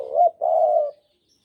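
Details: One complete cooing phrase from a Javan spotted dove kept as a trapping lure: a brief upturned note, short pause, then a smooth sustained coo lasting about half a second, clean background.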